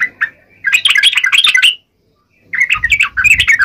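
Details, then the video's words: Yellow-vented bulbul in a 'tarung ngalas uplik ropel' fighting song to draw replies from other birds: two rapid gurgling, buzzy bursts split by a short silence, with faint low background noise. "trucukan gacor TARUNG NGALAS UPLIK ROPEL ini PALING AMPUH bikin burung trucuk gacor NYAUT SEKETIKA"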